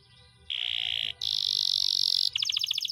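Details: Canary singing in a long rolling style for a training recording: two sustained piercing whistled trills, the second higher and longer, followed by a quick pulsing run of chipped notes.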